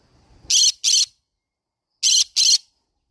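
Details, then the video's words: Green-cheeked conure giving two pairs of piercing, gravelly squawks, each pair a quick double blast, separated by a brief silence. "green cheek conure parrot sound"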